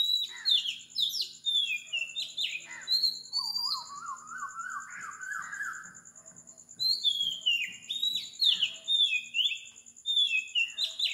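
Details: Oriental magpie-robin in Sri Lanka at 4 am sings varied fluty whistles and sharp downslurs, while a lower series of rising notes repeats in the middle. A faint low hum and a high insect pulse sit underneath.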